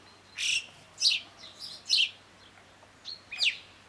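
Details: Yellow-billed chough in the French Alps mountains: a series of short, high, trilling chirps with a sharp whistled edge, given in bursts about every half second, some fainter notes between, over quiet background.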